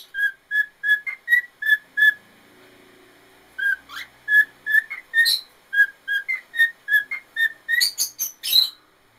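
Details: A 13-year-old male white-faced cockatiel sings a run of clear, short whistled notes, with a few harsh chirps mixed in.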